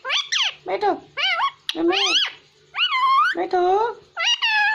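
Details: ['Talking pet parrot, described as speaking Hindi, rattling off quick speech-like syllables with bending pitch, a short gap midway, then more clipped words.']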